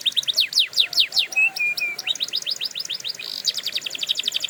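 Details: Canary song used for training canaries: rapid sweeping downward notes, then three short level whistles, then fast buzzy rolled trills repeated several times a second.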